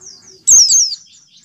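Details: A white-eye gives its call, a general calling note to other white-eyes: a short, high, thin, quick descending double note lasting about half a second, over quiet background.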